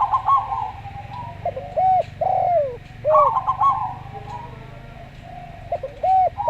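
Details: Zebra dove, a local bird, singing slowly: rapid stuttered notes and longer bowed coos in two phrases separated by a quiet stretch, with low background hum.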